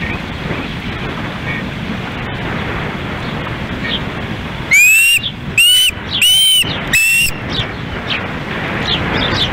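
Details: Osprey at a nest in Lolo, Montana, in August during an evening fish delivery to hungry chicks, with a fish fight. Four loud, sharp, rising whistled calls come in a quick series over steady background hiss.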